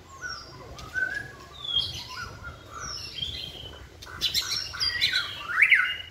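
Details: Caged white-rumped shama singing while hung on a pole during a group training session: varied slurred whistles and high thin notes, building into a dense burst of rising sweeps and sharp notes near the end.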